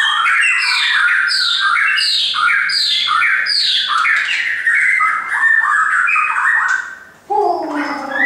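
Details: Pet shama pouring out a series of repeated descending whistled phrases, each sliding downward, about one every second, then switching to a different rising note near the end.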